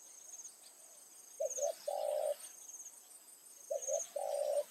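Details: Decoy spotted dove calling in the late afternoon to draw in wild doves, two quick low coos then a long sustained coo, repeated twice after a quiet start, over a continuous high-pitched insect drone.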